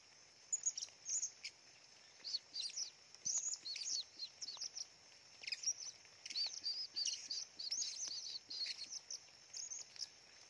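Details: Blue-crowned hanging parrot singing busily in the middle of a forest: rapid bursts of very high, thin, shrill chirps and squeaky twitters, tightly clustered and repeated almost without pause across the clip, over a faint steady high hiss.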